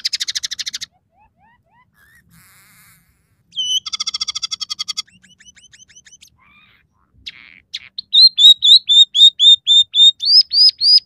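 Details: Energetic scaly-breasted munia song with sparrow, red siskin and canary fillers. It opens with a dry rapid trill and soft rising whistles, then a buzzy rattle and clicking notes, and ends in a loud string of ringing upslurred whistles.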